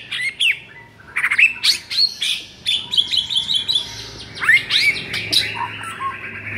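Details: White-rumped shama song, played as a master track to rouse a caged bird that sings too little: varied whistled phrases with sweeping notes, quick chip series and scratchy bursts, loud and rapid throughout.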